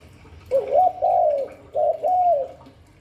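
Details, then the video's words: Spotted dove cooing in the Hạp Bổi voice style: two low, mellow coo phrases, each a short note followed by a longer rolling coo, over quiet background hiss. "Tiếng chim cu gáy Giọng Hạp Bổi"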